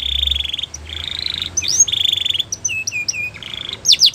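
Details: Belgian canary producing steady buzzy trills, a sweeping whistle, flat clear piping notes and sharp closing sweeps, with a faint low hum in the background.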